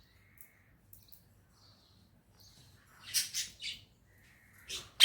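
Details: Pet parrot, described as a talking bird in a happy mood, gives a few faint soft chirps, then a cluster of three short, raspy, rising calls and a final sharp squawk in a quiet indoor room.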